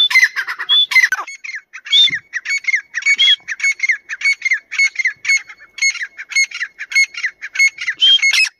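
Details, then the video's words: Grey francolin, compared as Dakni and Irani teetar: a steady, almost unbroken stream of harsh, squawking call phrases with rising whistled notes, repeated fast throughout. "Dakni vs Irani Teetar Part 2 | Tetar voice Compilation"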